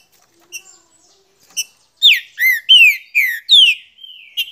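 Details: Green-winged saltator singing a run of five loud, clear whistled phrases, some sliding down and some rising, after a few faint introductory notes.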